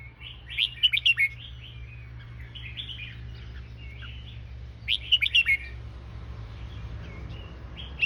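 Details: Caged red-whiskered bulbul of the 'fancy' song style: two bursts of bubbly, chattering whistled notes, each a quick cluster of rising and falling chirps, separated by about four seconds of quiet with steady low hum.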